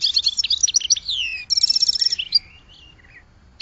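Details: Goldfinch song in quick succession: tinkling chirps, a falling slurred whistle, a bright rattling trill, then a softer descending twitter fading out.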